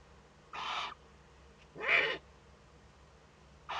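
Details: Young Eurasian eagle-owl at a webcam-watched nest in northern Rhineland-Palatinate, Germany, 15 May 2013, during its first contact with an adult: two harsh, broad, hissing bursts about a second apart, each under half a second long.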